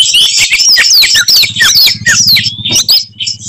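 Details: Short burst from a combative Oriental magpie-robin: fast looping whistles and chirps high above a steady low pulsing buzz, sung to provoke other birds.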